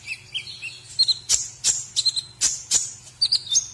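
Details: White-rumped shama song in a masteran meant for other birds to learn: it opens with soft, lower warbled notes, then gives sharp, high whistled strokes and quick chirps, over a faint low hum.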